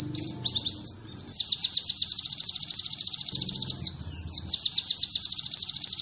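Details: White-eye giving a bar-winged prinia imitation as a training model for other birds: a few quick twittered notes, then a fast, high, stuttering trill. It breaks briefly near four seconds with a slurred phrase, then the trill resumes.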